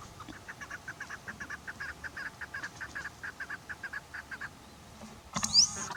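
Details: Chukar partridge calling with a regular string of short, clucking chuk notes for about five seconds, ending with a louder burst of noise and a high squeak.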